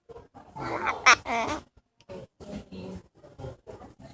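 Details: Pet parrot beside a second parrot, greeting with 'hola' and 'hello': a loud, harsh, speech-like burst with squeaky high overtones over the first second and a half, then a string of short clipped syllables.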